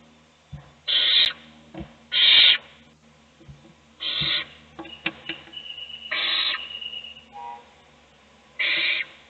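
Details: Owl chick fed by an adult inside a nest box while the other chicks sleep. Repeated raspy screeching hisses come at irregular intervals, mixed with soft knocks, scratching and a brief thin whistle.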